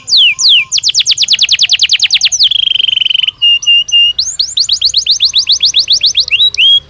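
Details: Belgian canary song used to stimulate training: quick descending note series, then a steady held whistle, a short buzzy rattle and another rapid run of sweeping notes.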